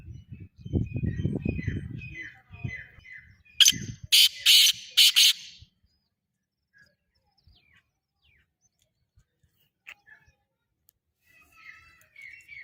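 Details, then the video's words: Black francolin, or kala teetar, utters a series of five to six harsh, rasping bursts lasting about two seconds; faint repeated chirps from another bird and a low rumble come before, then near silence. "Black Francolin || kala Teetar"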